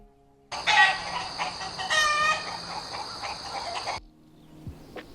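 A rooster crows a loud, hoarse, drawn-out call among busy clucking, with faint music in the background.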